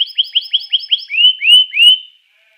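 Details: Canary song used to trigger other canaries to sing: seven quick, evenly spaced upswept chirps followed by three louder, drawn-out arching whistles.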